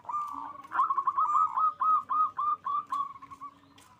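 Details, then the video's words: Local zebra dove at a bird farm in Bekasi, West Java, singing vigorously with a big voice to raise mating drive; an unbroken run of quick, evenly pulsed cooing notes fading toward the end. "Perkutut lokal GACOR suara besar NAIKAN BIRAHI"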